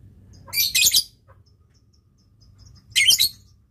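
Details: Lovebird in a Indonesian-style tutor recording (masteran) of long 'ngekek' chatter with 'ngetik' typing-like notes, said to provoke rival birds; two short, harsh, dense chattering bursts with quiet between.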